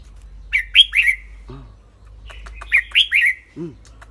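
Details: Clear-voiced red-whiskered bulbul singing and chattering: two bursts of three quick bright whistled notes about two seconds apart, each followed by a brief low voiced sound.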